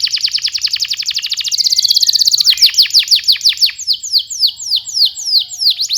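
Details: Energetic canary song, a long-duration recording used as a master to train young canaries to sing. Opens with a fast, dense trill of high repeated notes, then shifts to slower, sharply descending whistled sweeps repeated about three per second.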